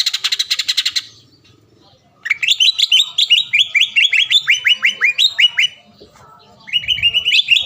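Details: Green leafbird lure song, used to provoke a rival leafbird into singing and agitation: a buzzy burst, a pause, then a fast run of ringing, downslurred whistled notes repeated about three per second, resuming after a brief gap.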